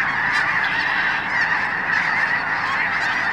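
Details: Huge winter flock of Snow Geese at Blackwater National Wildlife Refuge on Maryland's Eastern Shore, seen from the Wildlife Drive; dense, continuous chorus of overlapping nasal honks forming a steady roar.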